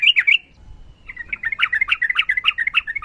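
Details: Sooty-headed bulbul, trucukan: a short burst of chatter, a brief silence, then a rapid, slightly harsh run of bubbling notes about three per second.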